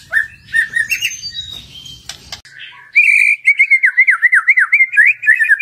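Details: White-rumped shama (murai batu) lure recording, meant to prompt a shama to sing loudly and show its repertoire. Muffled phrases over a low background hum are followed by a loud, zigzagging trilled phrase.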